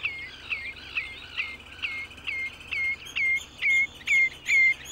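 Common Redshank giving a run of ringing, down-slurred whistled notes, about two a second, growing louder toward the end over a soft background hiss.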